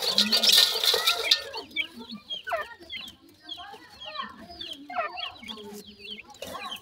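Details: Grey francolin chicks cared for and fed termites: a loud rustling burst first, then many repeated high swooping chirps overlapping in quick succession over a low hum.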